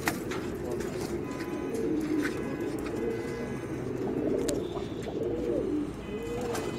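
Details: Racing pigeons alongside children, cooing in overlapping low, wavering phrases that rise and dip, forming a dense rolling murmur with a few faint ticks.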